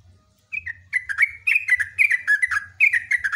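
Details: Sooty-headed bulbul pouring out a loud, continuous string of quick, falling whistled chirps, almost without a break, with a faint low hum underneath.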